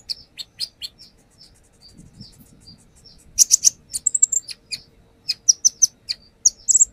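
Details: Brown-throated sunbird unloading its learned fills as a lure: scattered high chirps and soft whistles, then a dense burst of sharp twittering notes and a final squeaky run.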